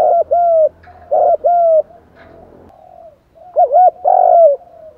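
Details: Spotted doves, male and female, call to rouse other birds, with urging, cooing and calling styles. Paired low coos are followed by soft murmuring. Near the end comes a wavering double note, then one long drawn-out falling coo.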